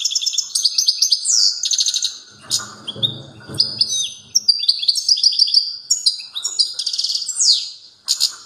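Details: European goldfinch in strong song on 29 September 2022: long, continuous, high liquid twittering with buzzy trills and sliding notes, plus a brief low rumbling noise in the middle.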